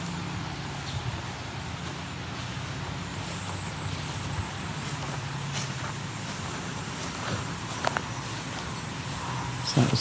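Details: Low traffic rumble and faint voices fill the background, with a few brief knocks near the end and no animal calls.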